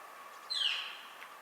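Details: Northern Flicker contact call, described as sounding like 'kee-yer', from Washington: one fainter downslurred squealing note of about half a second, set against steady hiss and a low hum.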